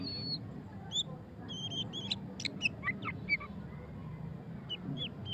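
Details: White-rumped shama, murai batu pastol, singing ngeriwik style: a few sustained high whistles followed by scattered sharp, quick notes, fairly soft against a low hum.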